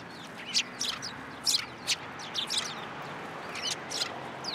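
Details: Sparrows at a feeding post at a Tenmangu shrine, 7 January 2023; irregular high chirps throughout, some loud and some distant, over steady outdoor noise.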